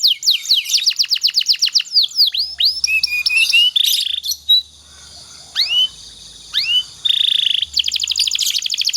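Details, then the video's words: Domestic canary singing a master song meant to train other canaries: a rapid trill of high clipped notes opens, then scattered rising whistled slurs and a brief buzzy phrase, before another fast trill closes. "suara burung kenari Ini sangat ampuh buat masteran segala jenis burung kenari agar cepet gacor"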